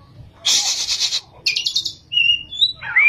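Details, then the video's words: Oriental magpie-robin in active rolling song with high shooting notes, opening with a long harsh scratchy burst, then a shorter one, followed by clear steady whistles and a rising slurred note. "kacer gacor ngerol,nembak"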